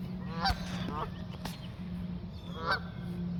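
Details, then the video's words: Geese taking flight with a few nasal honks, loud near the start and again near the end, plus sharp clicks and low rumbling noise. "Geese honking and flying"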